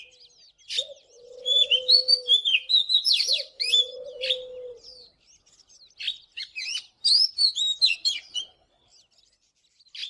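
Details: Oriental magpie-robin morning song: bright, fluty whistled notes mixed with scratchy chips in rapid bursts, with pauses between phrases. Two low dove coos sound in the first half.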